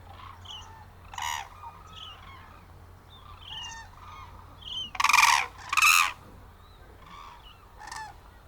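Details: Hooded crane at the crane observation centre in Izumi, Japan, December 2024, one of a family of three with a young bird nearby, calling loudly: harsh harmonic bursts at irregular intervals, two strongest back to back mid-clip, softer crane calls between.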